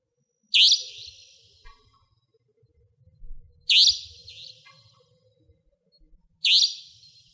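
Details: Savanna nightjar in Pingtung County, Taiwan, living near houses and hunting insects at night: three rasping, high-pitched notes spaced about three seconds apart, with faint low rumble underneath.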